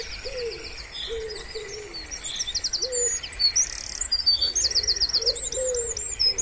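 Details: A wood pigeon coos gently by pond water in spring, a few low, sliding notes spaced out among busy high-pitched chirps and rattling trills of songbirds.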